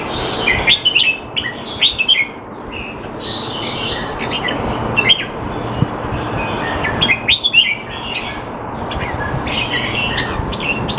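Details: Singapore-kept Red-whiskered bulbul in a training session, out of form, singing repeated bursts of chirpy, warbling notes every couple of seconds, with other bird chatter and a noisy background.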